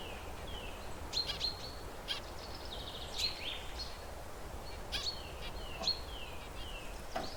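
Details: Zebra finches perched, calling to one another with short beeps and chirps: brief buzzy notes and falling whistled sweeps repeated about every second, over a steady low background hum.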